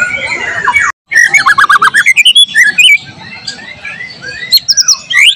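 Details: A white-rumped shama (murai batu) sings gacor in a training recording that also includes material from cililin, cucak jenggot, canary and lovebird. A long whistle breaks off, then fast pulsed chirps, loud scratchy notes and upslurred whistles.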